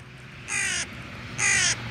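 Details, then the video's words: Carrion crow cawing while another crow waits to be handed food: two harsh, flat caws about a second apart, each lasting roughly a third of a second, over a low background hum. "Clyde qui croasse"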